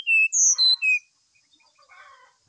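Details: Brown-chested jungle flycatcher in full morning song, used to prompt another bird to sing: four loud, pure whistled notes stepping between higher and lower pitches, followed by quiet twittering chatter.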